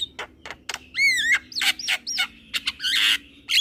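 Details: Head-nodding young Javan myna: quick clicks, then a wavering whistled slur, harsh grating bursts and a broad raspy noise, in a varied, lively sequence.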